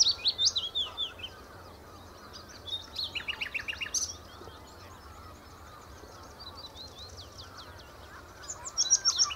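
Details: Common nightingale singing at the Horsmeertjes on Texel: bursts of rapid repeated whistled and clicking notes, separated by quieter pauses, over steady background noise, with softer fainter calls in between.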